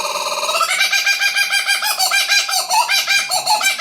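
A Laughing Kookaburra's raucous laugh: fast, harsh chuckling notes tumbling over one another in a loud, steady cackle, with no other sounds standing out.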